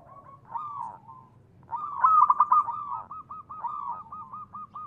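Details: Local zebra dove cooing as a lure for other doves: soft coos, then a loud trilled burst flowing into a long chain of short, evenly repeated coo notes, over a low rumble.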